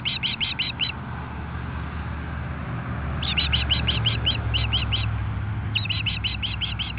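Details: Ospreys defending their nest on the Kootenay River near Nelson, British Columbia, against an intruder, 10 am on 8-7-2015: three bursts of rapid high piercing chirps over constant low traffic rumble.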